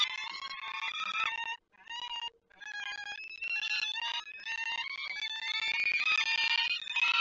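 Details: Peregrine-type falcons at a nest on a ledge in Lublin, Poland, 28 May 2019: both adults fly near the nest as if inviting the young to fly, and the lively young give harsh, rasping, high-pitched calls in near-continuous quick bursts.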